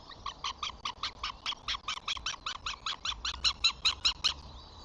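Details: Flamingos on 14 June: chicks feeding, the father arriving, two dominant chicks pushing siblings away. A steady run of about twenty short, harmonic, honking notes, roughly two and a half per second, growing louder toward the end.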